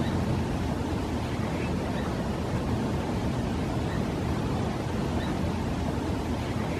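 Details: Only a constant, even roar of wind-like noise runs throughout, with no hawk, owl or other animal voice.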